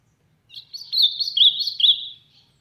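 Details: Ultramarine grosbeak (azulão) singing loudly in the sertão: a rich, warbled phrase of sliding whistled notes around the upper-middle register, lasting about two seconds, with faint low rumble beneath.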